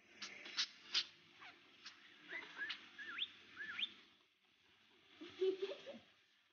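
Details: Pet budgerigar chattering: clicky bursts, then a run of short whistled notes that curl upward, a brief pause, and a final spell of softer, mumbled warbling.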